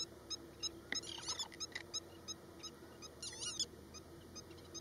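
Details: At Osman Sagar in Hyderabad, an oriental pratincole performing a broken-wing display calls with quick high ticking notes and two bursts of harsh, scratchy chatter, over a steady background hum.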